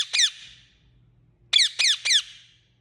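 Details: One shrill, falling chirp from an Indian ringneck, then after a pause three more in quick succession. The notes are harsh and descending, and a soft low hum runs underneath.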